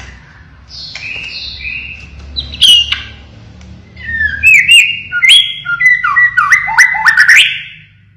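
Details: White-rumped shama, blorok plumage type, singing 'siren shots': soft wavering whistles, a sharp upward note, then a loud fast cascade of ringing, stepping whistled notes over faint background hum.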